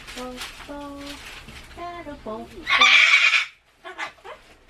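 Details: Pet Solomons cockatoo, said to dislike loud sounds and to scream loudly at town loudspeaker broadcasts and election campaign cars. Tonal talking-like syllables come first, then a sudden loud, harsh, broadband scream lasting about half a second, followed by quieter chatter.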